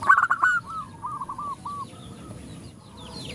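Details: Female zebra dove calling males as others reply: a short loud stuttered burst of cooing notes fading into a softer run of repeated coos, faint thin chirps of other birds behind.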